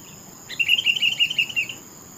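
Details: Sooty-headed bulbul delivering a single phrase of about a second: a fast, slightly wavering string of warbled notes at an even pitch that trails off at the end, over faint background hiss.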